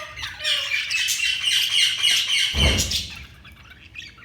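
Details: Several budgerigars giving rapid, shrill chirps and squawks in a dense, continuous chatter, with a low thump partway through before the calling thins out.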